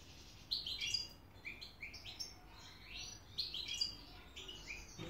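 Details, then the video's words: European goldfinch in Hamburg, Germany, excited, singing quick liquid twittering phrases of high chirps and short sliding notes, the sequence repeating after a brief pause, with faint background hum. "هيجان و تكريم طائر الحسون. Goldfinch. Stieglitz"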